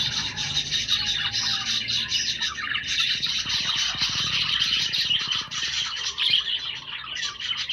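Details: Budgerigars kept as pets produce constant overlapping chirps and raspy warbles, a thick chorus of high notes, with faint low rumbling noise in the middle.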